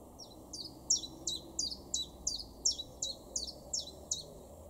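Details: Common chiffchaff singing in a garden in Weener, East Frisia, far northwest Germany, in April 2021: a steady run of high, sharp notes alternating slightly in pitch, about three per second, over a low background rumble.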